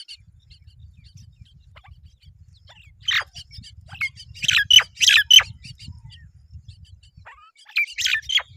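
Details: Begging myna young while both parents bring food: a run of harsh, broadband squawks in the middle, a scattering of thin chirps, and another squawking burst at the end, with soft low background hum.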